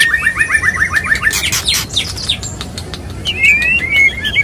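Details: White-rumped shama male wooing a female, opening with a fast series of repeated downslurred whistles, then a burst of harsh rasping notes, ending in sweet rising and falling whistles.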